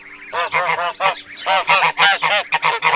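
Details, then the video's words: Farm geese honk in a rapid chorus of harsh, nasal calls, several overlapping blasts each second, with no other clear sounds. "Geese Sounds"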